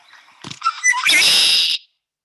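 A Red-winged Blackbird gives a few short whistled and clucking notes, then a loud, harsh, buzzy trill lasting almost a second.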